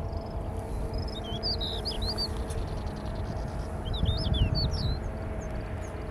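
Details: Siberian stonechat singing in June 2022 under an overcast sky that looked about to rain: two short, scratchy phrases of high, quick warbled notes about three seconds apart, over a steady low rumble.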